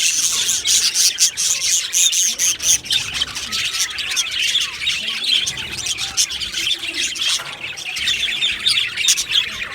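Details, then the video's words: Aviary colony of Australian budgerigars: nonstop high chatter with loud sharp squawks and clicks about four per second, some thin whistled notes rising above the flock's constant warbling. "Beautiful Budgies Birds Chirping Sounds"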